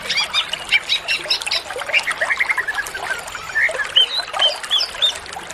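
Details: Greater green leafbird, cucak ijo, singing a full, varied training song: quick whistled slurs, chattering notes and clear rising whistles delivered in busy bursts, with steady hissing noise behind.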